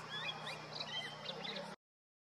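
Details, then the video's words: A male Grey-winged Blackbird sings from a deodar twig in the Uttarakhand Himalaya in summer, territorial calls carrying down the valley; short whistled, warbling phrases mostly in the upper range over a low steady hum, ending abruptly. "Thrush calls out with abandon: Grey-winged Blackbird sits on deodar twig and trills out aloud"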